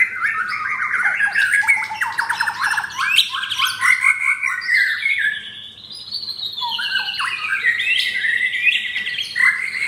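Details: Caged pied F4 white-rumped shama in Jakarta, Indonesia, with coarse song material: dense stuttering chatter of rapid clipped notes, harsh squawky phrases and sudden high whistles, a brief lull midway.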